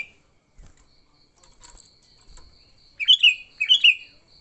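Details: Sooty-headed bulbul with an aggressive fighting song for luring bulbuls: quiet soft taps first, then two bright bubbly phrases of slurred whistles about half a second apart.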